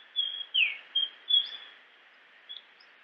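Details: Japanese grosbeak singing: a quick run of four clear whistled notes, one sliding downward, then a short pause before a faint final note, over a steady band of background hiss.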